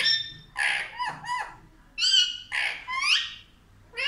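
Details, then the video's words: Talking Indian ringneck parrot, known for saying "mummy papa", voicing a run of loud nasal and squawky syllables, some gliding upward, packed closely over a few seconds indoors. "मम्मी पापा बोलने वाला तोता ll Indian Ringneck Parrot Talking"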